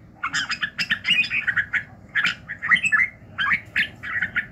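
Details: Morning song of a red-whiskered bulbul used for voice training: dense runs of quick chirpy, warbling notes, grouped in lively bursts with a short gap midway.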